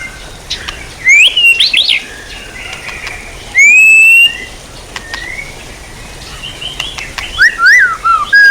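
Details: Songbird training recording of white-rumped shama: bursts of loud, clear whistled phrases with up-and-down slurs and a rising whistle, separated by short quiet gaps with faint distant chirps.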